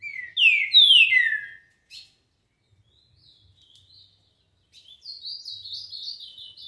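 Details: Green-winged saltator, known as trinca-ferro, performing the 'tio João dobrou' song: strong rising-then-falling whistled notes, a brief click, silence, and a quieter chattering sequence of short notes at the end.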